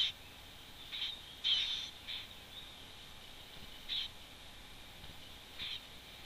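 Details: Wood warbler on 11 June 2011 gives brief, high, piping calls, about five short notes spaced irregularly over six seconds, against a faint steady hiss.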